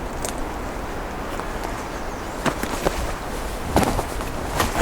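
Outdoor background rush with scattered sharp cracks and thumps like footsteps.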